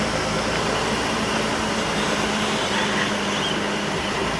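Loud, unbroken broadband rumble like a running engine or fan, with no calls standing out.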